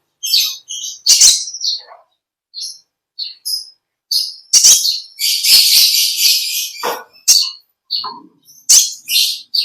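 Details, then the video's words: High, thin chirping song of an olive-backed sunbird (kolibri ninja) in long ngekek style, with dense runs of sharp tweets, short trills and bright squeaky notes tumbling one after another, a few pauses between clusters. "Original sound konin kolibri ninja suara lb ngekek panjang gacor"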